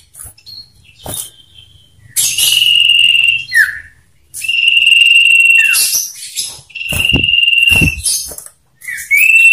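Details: Male common iora duel used as a lure: long, steady, piercing whistles held for about a second each, alternating with brief falling slurs and scratchy high chips, sung loudly and repeatedly.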